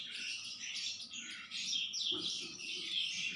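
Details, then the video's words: Home-kept Sanma bird in full, nonstop song: a rich flow of varied whistles, rising and falling slurs and busy chattering phrases with no real pause, with a low background rumble beneath. "Burung Sanma Gacor Rumahan"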